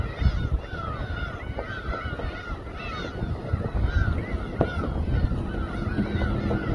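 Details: Gull chorus over a harbour boat at Samgilpo, Seosan, South Chungcheong; a dense tangle of repeated curved, wailing cries continues over broadband rumbling and occasional clicks.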